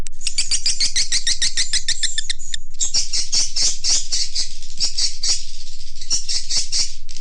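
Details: Swiftlet lure call for swiftlet farmers to attract the birds: rapid, regular bursts of high, buzzy chirps, about three to four per second, with a brief pause midway before the chirping resumes in a denser, scratchier run.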